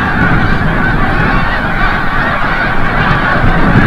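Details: Snow Geese flying back from the bay at sunset over Forsythe National Wildlife Refuge in Oceanville, New Jersey, a wild flock whose many honking voices merge into one continuous, rough clamour.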